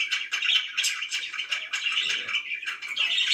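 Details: A short burst of budgerigar chirping, with rapid grating warbled notes and quick squeaky chirps run closely together.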